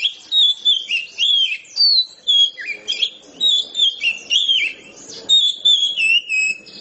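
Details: Oriental magpie-robin (kacer) singing in the loud, open ngeplong style: a continuous run of clear whistled phrases, rising and falling notes with quick sweeps, delivered in dense bursts about twice a second, with no other sounds intruding.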